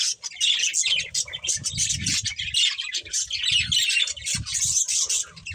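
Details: Budgerigar breeding pair giving rapid, buzzy warbling chirps without pause, with soft low knocking sounds mixed in through the middle.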